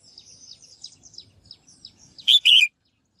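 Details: Female bird calling to spur males into singing: light high twitters from other birds lead into one loud double chirp, a short note then a longer falling one.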